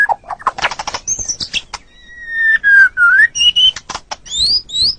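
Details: White-rumped shama, a cage bird on a training recording: burst of clicks and chips, then long clear whistles, some falling, some sweeping upward, with brief pauses between.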